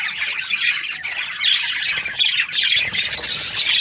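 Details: Budgerigars in breeding pairs give a noisy chorus of raspy squawks and short chirps, with brief sharper whistles poking through the chatter.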